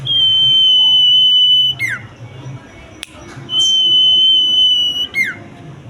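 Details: Common iora song: two long, unwavering high whistles, each trailing into a brisk downward slide, separated by a brief click and faint background hum.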